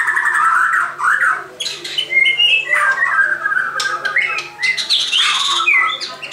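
A white-crowned shama sings a loud, unbroken run of varied phrases, rich whistles mixed with harsh, scratchy notes, over a faint steady low hum.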